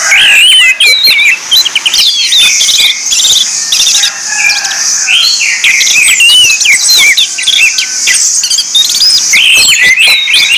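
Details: Orange-headed thrush song used as a lure to draw out other birds: loud, varied whistled phrases with quick upslurs and downslurs, chattering trills and sharp chirps in dense, continuous succession.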